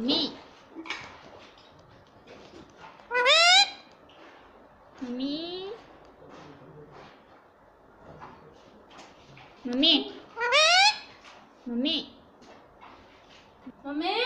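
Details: Pet rose-ringed parakeet kept indoors, talking and imitating the words "mummy" and "papa": speech-like harmonic phrases with steep rising and falling sweeps, spoken in bursts separated by short pauses, with a few quieter sounds between.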